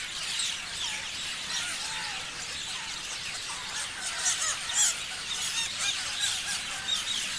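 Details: A crowd of parrots chirping together, a steady wash of high twittering and squeaky notes layered on top of each other, with a few louder shrill squeals near the middle and toward the end.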